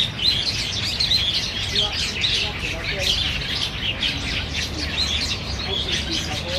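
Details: Black bulbuls crowding a banyan tree for its figs at Niaosong Wetland Park, November 2015; overlapping high chirps and squeaks pour out continuously, with a few quieter lower notes.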